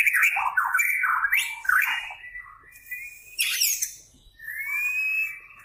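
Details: Kept white-rumped shama delivering a busy song: rapid jumbled whistled notes, a harsh scratchy burst, then a clear rising whistle held for about a second.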